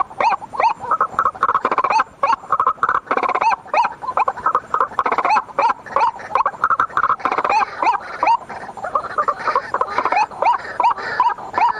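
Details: Night lure call of white-breasted waterhen: a long, dense stretch of harsh, gurgling croaks, rapid and irregular, with several voices seeming to overlap.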